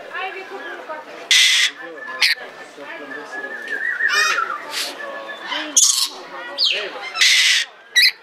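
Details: Captive red lory at the Belgrade city zoo, Serbia, 2022, giving loud rasping shrieks in irregular bursts, with softer squeaky notes and background human voices between them.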